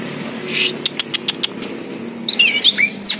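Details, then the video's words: A captive Oriental magpie-robin of the poci type, a village contest champion kept for about two years, gives a harsh burst, a quick run of about six sharp ticks, then high, twisting whistled phrases over faint background hum. "BURUNG KACER POCI GACOR"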